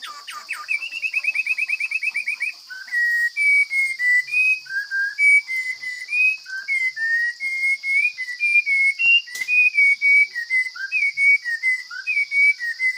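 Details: Wild forest Chinese hwamei singing in a strong, fine voice: a quick run of repeated clear notes, then a long flow of varied whistled phrases, rising and falling, with a steady high-pitched whine behind throughout.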